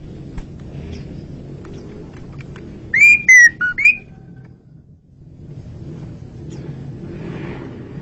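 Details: Asian pied starling singing loudly and clearly, a song meant for luring birds: a brief burst of four strong, slurred whistles in about one second, set against steady low traffic-like rumble.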